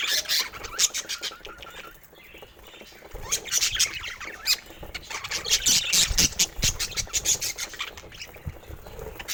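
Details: Budgerigars showing different colour mutations chatter in uneven waves, clicking ticks and squeaky warbles crowding together, quieter for a moment early on, then building into busy twittering again.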